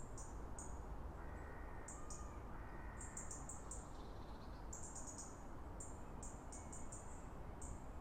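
Common Crossbill giving short, sharp, high chip notes in quick bursts of two to four, over steady low wind rumble and a faint whistled tone.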